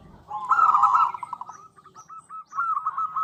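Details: Female zebra dove of local stock calling the male: a louder buzzy rolling coo followed by a string of softer spaced coo notes, ending in another rolling burst.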